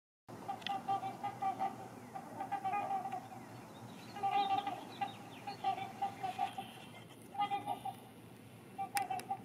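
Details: Two pairs of trumpeter swans on ice, waiting for Rush Lake to open, calling to claim a prime nesting spot: repeated nasal, horn-like honks in bursts and overlapping exchanges throughout, with a steady background hiss.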